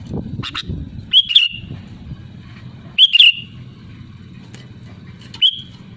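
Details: Loud sooty-headed bulbul calling to rivals. A bubbly two-part whistled phrase repeats three times, roughly every two seconds, with a few softer notes between over a low rumbling hum.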